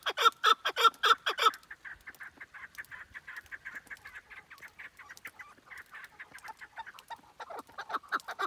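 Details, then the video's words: Chukar partridge calling: five loud, harsh clucks in quick succession, then a long run of softer rapid chattering notes that swells again at the end. "کەوی دەنگ خۆش—keklik sesi"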